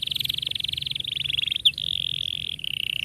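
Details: Canary in a young-canary training song delivering a long, dense rolling trill of rapid pulsed notes, steady and unbroken for about three seconds, with one sharp chip midway.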